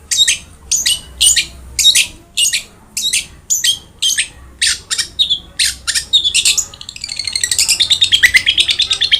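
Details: Long-tailed shrike singing vigorously, a tutor recording meant to get quiet birds singing: a series of sharp high chirps about twice a second, then a fast, dense twittering run at the end.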